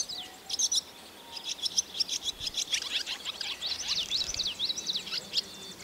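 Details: Several barn swallow chicks in a nest above a milking parlour door on a rainy day keep up a rapid jumble of sharp, high chirps and short wavering squeaks, recorded on a Sony DV camera.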